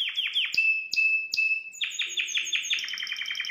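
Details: Canary song meant to excite a female: quick falling chirps, then three sharp whistled notes with clicks, followed by a fast rolling trill of rapidly repeated rising syllables.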